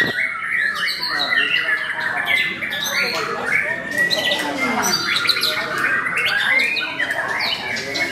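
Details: Song of a white-rumped shama at a bird contest in Mahendra Arena: a dense run of varied whistles, chattering trills and rapid notes, among other birds singing and crowd voices.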